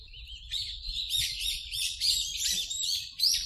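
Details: Park wild birds recorded on a Zoom H4n with noise reduced: a busy stream of bright, high twittering notes, arched chirps running almost continuously, with some soft low background hum.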